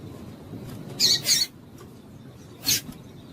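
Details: Calling female double-collared seedeater, used to excite males: a quick pair of high, sharp chips, then a short pause and a single chip, with a steady low rumble behind.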